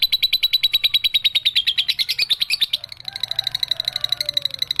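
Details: Juvenile lovebird's long 'ekek' trill: a loud, rapid buzzing rattle of evenly spaced pulses that softens after about three seconds into a thinner, quieter continuing trill, with faint chirps beneath.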